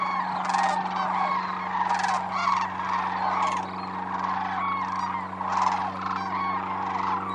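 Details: Wintering flock of sandhill cranes at Whitewater Draw Wildlife Area, Arizona, flying off: dense overlapping rolling, trumpeting calls from many birds, bursts every second or so, over a steady low hum.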